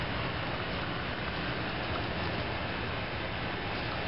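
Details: Steady broadband rumble like a passing vehicle or engine fills the whole recording, with no animal calls.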